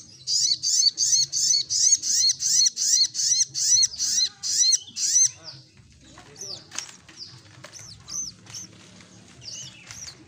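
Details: Olive-backed sunbird in lively gacor ngleper singing: a run of about a dozen sharp, high arched notes at nearly three per second, then looser scattered chips and thin squeaks.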